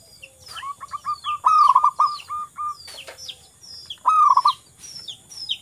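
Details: Local wild zebra dove singing energetically, a lively bird used to coax silent doves into song: short bursts of throaty rolling coos on one low pitch, separated by pauses, with thin high downslurred chirps from other birds above.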